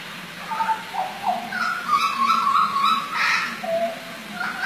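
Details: Hooded butcherbird from eastern Indonesia, a noted mimic of other birds, singing a varied phrase of clear whistled notes, some level and some sliding, with a brief harsher burst near the end and a low background hum.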